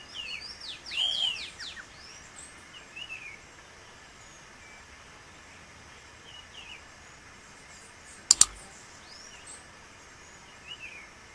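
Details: Wild female green-winged saltator in Pernambuco, northeast Brazil, gives a burst of sharp, high chipping calls early on, then scattered faint notes; two loud clicks and steady hiss.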